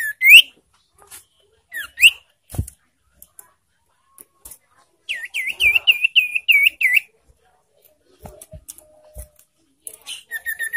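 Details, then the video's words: Ashy tailorbird call played as a lure to provoke and excite breeding birds. Scattered short rising chirps and clicks lead into a brisk string of seven bright, slurred notes, then more quick chirps near the end. "Memancing emosi dan Merangsang birahi burung sirtu"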